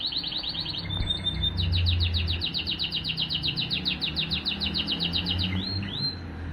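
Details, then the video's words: Male Timbrado canary, 2023: a short trill and a thin whistle lead into a long run of quick, bubbling repeated notes, ending in two upward-swooping calls, over a noticeable low droning hum. "Τιμπράντο Καναρίνια 2023 ♂️ Part3"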